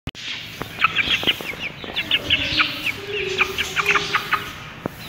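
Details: Aseel chicken chick, 15 days old: rapid, high, thin peeps and chirps, irregular, several each second, some short and falling, over a faint low hum in the background.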